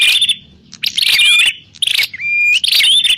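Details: Trapping-lure recording of a grey prinia (prenjak klawu): a harsh buzzy burst, a silent pause, then more crackling chatter and a long steady whistle that bends upward.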